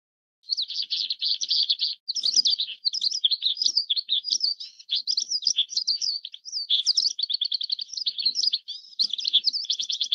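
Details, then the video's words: Oriental skylark (Alauda gulgula), a bird of open dry fields, grassland, dunes and pasture, singing a long unbroken stream of fast, high chirps and trills with frequent quick pitch jumps and buzzy rattled notes. "小雲雀/Oriental Skylark"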